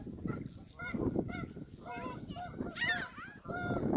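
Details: Canada geese at Hawreluk Park Lake: clear nasal honks with bright harmonic bands, some notes flat and drawn out, others bending up and down, repeated irregularly by several birds, with low rumble behind.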